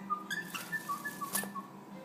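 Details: A male pet cockatiel, taught phrases like "you're a bad boy", gives a quick run of short, clear whistled notes over a steady low hum as its owner talks to it.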